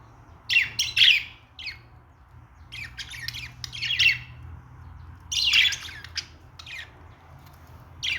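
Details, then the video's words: Budgerigars chattering in song: clusters of sharp, scratchy chirps and squawks in irregular bursts, with quiet intervals and a faint low hum in the background. "Australian parrot singing"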